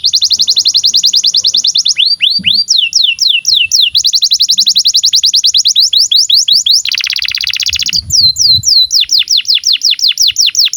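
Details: Canary song for tutoring young birds and silent canaries, loud and continuous: fast rattling trills alternating with sweeping downslurred whistles, a lower dense buzzy trill near the end, then more rapid downward-swept notes.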